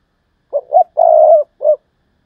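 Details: Decoy spotted dove giving the 'thúc lợi cốt' call style: four low cooing notes in about a second, a short coo, a rising coo, a long drawn-out central coo, then a brief final coo, clean with no other sounds.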